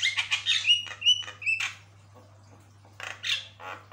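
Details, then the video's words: A Javan myna in full, steady song mixes harsh, scratchy chatter with three clear whistled notes, pauses, then bursts into grating chatter again over a faint low hum; its song is said to set other mynas answering. "Gacor banget, jalak kebo maput, suara bikin kagum"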